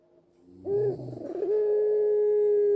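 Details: White dove with a black collar used as a cooing lure for doves at home; after a soft low lead-in and brief rolling burr, one long steady hollow coo holds at an even pitch.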